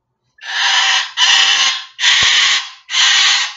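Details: Rescued Moluccan Cockatoo living in sanctuary gives its very loud 'murder bird screech', said to hurt the ears and measured at 126 decibels; four long, harsh, broadband screams about a second each, in quick succession.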